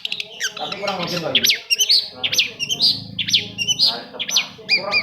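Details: Varied long-tailed shrike song meant to stimulate reluctant shrikes to sing: tumbling mix of harsh, buzzy notes and bright rising and falling whistles, fast and irregular.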